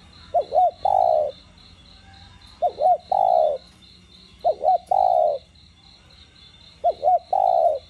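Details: Spotted dove cooing repeatedly in the đồng gù voice, meant to stimulate other doves: four phrases, each two brief hooked notes and a longer low coo, about every two seconds, over steady rhythmic high-pitched chirring.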